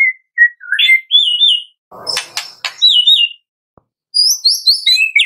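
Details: Morning White-rumped shama song for encouraging caged birds to sing, with warbled, wavering whistles at varied pitches, a burst of noisy rasping in the middle, then high twittering phrases.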